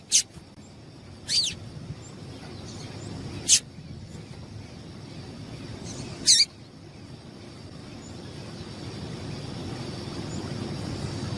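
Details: A female double-collared seedeater gives four short, sharp high chips, spaced irregularly a second or more apart, over a steady background hum; the call is used to excite and warm up males.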